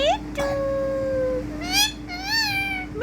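A rose-ringed parakeet talks in short, nasal, voice-like syllables: a long level tone, then quick rising-and-falling words, over a steady background hum.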